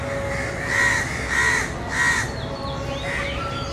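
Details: Young crows calling for their mother from the nest, three drawn-out raspy caws about half a second apart, then fainter bird calls over constant broadband noise.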